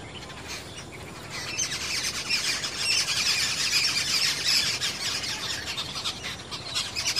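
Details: Jungle babblers in a blooming confederate rose tree in a Meerut garden give a dense, harsh chorus of squeaky, chattering notes, several birds overlapping in a fast, ragged stream that builds midway.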